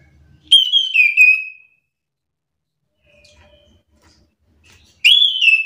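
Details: Chestnut-capped thrush singing in an agitated, answering exchange with another bird: two loud, clear whistled phrases about four seconds apart, each a sliding, slightly warbled whistle that drops in pitch at the end, with near silence between.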